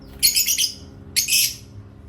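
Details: Parrot kept as a pet, chirping during playtime: two bursts of scratchy, high, buzzy chatter about a second apart, each fading out, over a quiet room hum.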